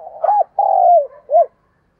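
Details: Spotted dove giving a decoy 'thúc gù' and 'gáy gọi' calling voice, used to lure wild doves. Three mellow, hollow coos follow in quick succession: short, then long and drawn out, then short. The background is quiet.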